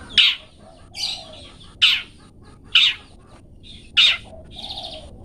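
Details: Long-tailed shrike singing in the 'toet toet' style, kept as a master recording for training cage birds: loud, harsh broadband bursts about once a second, separated by softer buzzy whistled notes and faint low warbles.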